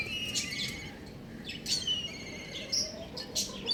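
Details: Young chicken chirping on a roof: a run of sharp, high, clear peeps, some falling in pitch, coming every half second or so against constant low rumbling background noise.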